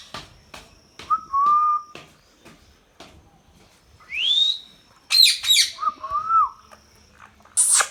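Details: Indian ringneck parakeet, a talking bird, mixing level whistled notes, a fast rising squawk, a pair of harsh screeches and another wavering whistle, with light clicking in the background.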